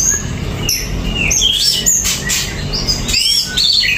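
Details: Greater green leafbird, kept bird, singing without a cage cover: varied loud whistled and buzzy phrases high in pitch, notes sliding up and down in quick bursts with short pauses.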